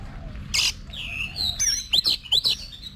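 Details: Oriental magpie-robin kept as a cage bird, in voice training for fighting-song contests, gives clear whistled notes: a rising whistle, then sharp slurred phrases and clicks in quick bursts over faint low background hum.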